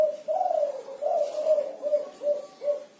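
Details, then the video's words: Short stretch of kuku 6 style song from a spotted dove in active voice: a quick chain of about six soft, mellow coo notes, the first ones longer and wavering, the last ones clipped and evenly spaced. "Suara Burung Derkuku Kuku 6 || Tekukur Kuku 6 Gacor"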